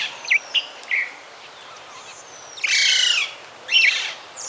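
Azure kingfisher: a few thin, high squeaky notes, then two harsher, buzzy bursts of shrill calling, with little else in the background.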